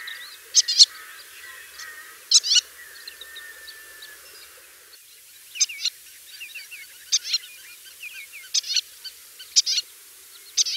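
White-tailed lapwing giving sharp, high, clipped calls in bursts of two or three notes every one to two seconds, with faint twittering of other birds behind.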